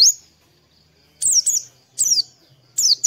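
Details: High, thin, down-slurred twitters of an Oriental white-eye in morning song, used as a singing lure, coming in short paired bursts about every three-quarters of a second.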